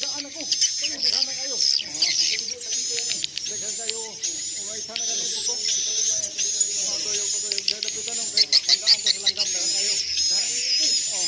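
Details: Playback for luring swiftlets into a nesting house to stay overnight. Sustained high twittering with wavering whistled lines, lower chattering notes throughout, and a burst of rapid clicks near the end.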